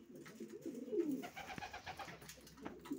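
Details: Racing pigeons in a room, one drawn-out low coo swelling and sinking, followed by quieter murmurs and a sharp click amid faint background noise.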